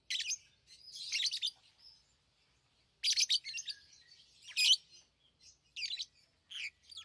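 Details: Pet lovebirds chirping: loud, rasping high bursts at the start and middle, then a few sharp isolated chirps, with a quiet gap of about a second.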